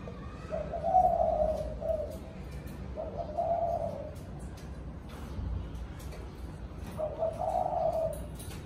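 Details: Spotted dove calling the flock in the evening: three soft, low hooting coo phrases, each about a second long, separated by pauses of a few seconds, over quiet background hiss.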